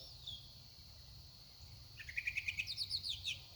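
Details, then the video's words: At sunset a vocal songbird breaks a quiet pause with a fast, high, bouncing trill of about a dozen sharp chirped notes over the last second and a half, against a faint steady background hum. "Sunset with a Very Vocal songbird"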